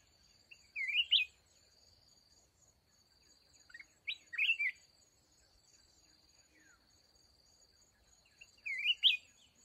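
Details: Red-whiskered bulbul, mountain bird, sounding at a fighting-decoy trap: three short sweet warbled phrases, each rising then dropping, spaced about three and four seconds apart, over a steady thin high buzz of insects.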